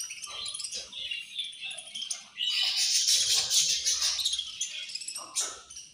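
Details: A flock of budgerigars feeding and fighting: busy high-pitched chattering that swells into a loud, dense burst of overlapping chirps and squawks midway, then thins out.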